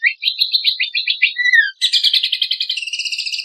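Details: Lemon-bellied white-eye song used to train contest songbirds. It opens with rapid, varied high twittering phrases and a falling whistle, then shifts to a dense, rattling trill of quickly repeated notes at two pitch levels.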